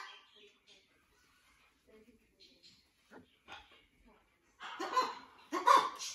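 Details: Inky, a male blue-and-gold macaw in a parrot rescue and adapting to his new flock, mutters softly with a few quiet, speech-like notes, then breaks into two loud, harsh, raspy bursts near the end.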